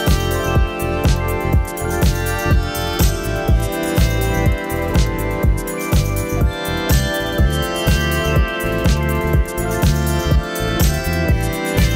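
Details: Steady electronic background music with keyboard and a regular drum beat; no animal calls are heard.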